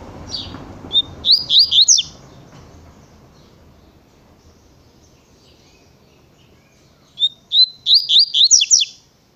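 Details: Double-collared seedeater (coleiro) repeating its tui tui style song twice, each a brisk series of rising whistled notes, separated by about five seconds of rustling background noise.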